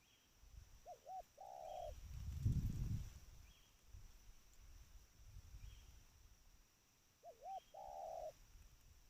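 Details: Tame spotted dove giving two soft coo phrases. Each is a quick pair of short notes and then a longer held coo. Distant low rumbling and faint high chirps are also heard.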